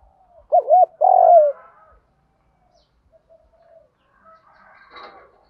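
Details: Spotted dove decoy used to lure wild doves gives one phrase of two quick hooked coos and a drawn-out falling note, followed by faint scratchy sounds.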